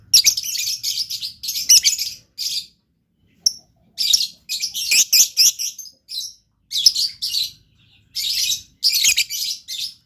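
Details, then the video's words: Blue lovebird singing actively in a loud, shrill, continuous chatter of rapid high-pitched chirps, delivered in bursts of about one second separated by brief pauses. "LOVE BIRD GACOR"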